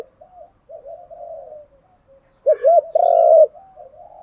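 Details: Spotted dove decoy calling to excite other doves into cooing: quiet low wavering murmurs, then a clear phrase of two short coos and a longer rich coo, followed by soft trailing notes.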